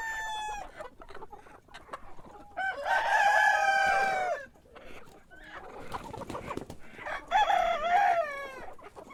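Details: Cockerel heard in the morning giving two full crows, each a bright, strained, wavering cry held for over a second, plus the tail of an earlier crow at the start; scattered clucks and clicks fill the gaps.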